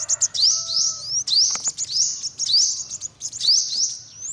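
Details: Quick series of sharp rising notes from an olive-backed sunbird, nearly one per second, with a faint long lower whistle from another bird early on.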